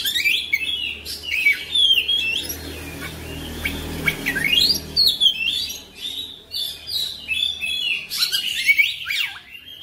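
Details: Oriental magpie-robin singing nonstop, rapid whistled slurs, rising and falling sweeps and buzzy chatter, with a low hum in the background.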